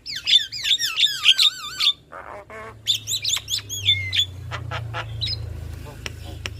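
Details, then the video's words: Male and female black-winged starlings duetting: a fast series of bright looping whistles, then harsh chattering notes, more rolling whistles and scattered sharp clicks, with a low hum underneath. "Jalak Kebo Jantan Dan Jalak Kebo Betina GAcor Duet Kicauan Jalak Kebo"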